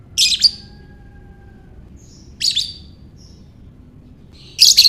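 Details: Lovebird ngekek calls used for baiting other lovebirds: harsh, shrill chirp bursts about every two seconds, with brief faint squeaks between them and a low steady hum underneath.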